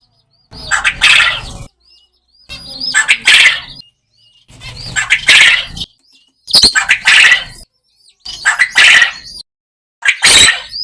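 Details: Farm quail calling in a natural setting: six harsh, scratchy bursts, each about a second long and spaced roughly two seconds apart, with thin high whistled notes between them and a quiet background.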